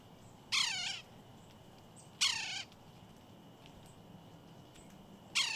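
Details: Red-breasted Sapsucker (Sphyrapicus ruber) giving three harsh, nasal, cat-like mewing squeals, each sliding downward, spaced a couple of seconds apart against a quiet background.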